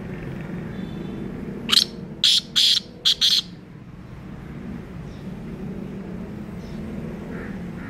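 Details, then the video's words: Black francolin (kala teetar) giving one harsh, grating phrase of five short, high notes over about two seconds, with a steady low rumble of background noise. "Black Francolin voice | Black francolin Kala Teetar | Kala teetar ki awaz"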